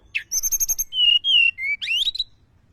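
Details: Mountain tledekan lure call: a burst of rapid high stuttered notes, then clear steady whistles at falling pitches, ending in a rising squeaky warble.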